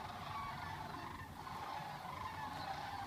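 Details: Sandhill cranes on spring migration, leaving Gainesville, Florida, bound for Nebraska in February: a chorus of distant rolling calls, many birds at once, continuous over a noisy background.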